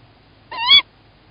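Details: Male tawny owl calling at the nest in Estonia on 1 April 2018 at 20:31, as the female leaves and one egg lies in the nest; one short, harsh, rising note against a quiet background.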